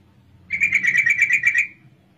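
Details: Female sooty-headed bulbul, whose call serves as a lure to set males singing: a single fast run of about ten clipped, bright notes lasting roughly one second, then quiet.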